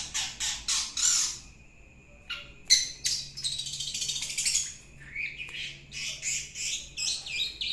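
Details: Young long-tailed shrike sings a busy, scratchy run of harsh chattering notes and high buzzy bursts, uneven in rhythm, with brief pauses between phrases.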